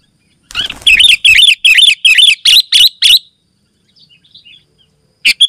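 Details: Sooty-headed bulbul in dense, dominating song meant to call other bulbuls and teach caged birds: a rapid run of seven loud, looping whistled notes, then faint twitters and a final sharp chirp.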